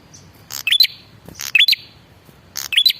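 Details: Red-headed prinia, male, calling to lure other prinias into replying. It gives three short, insistent phrases: a dry buzzy rattle, then a high whistled note sweeping upward.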